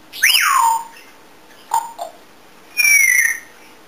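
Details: Indoor pet African grey parrot that dances, sings and mimics many sounds: a loud whistle sweeping up then sliding down, two short low notes, then a clear descending whistle.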